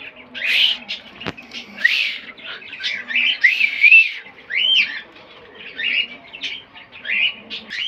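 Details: Green parrot kept as a pet, giving a run of bright, high chirped and whistled syllables in quick succession, with a sharp click early on.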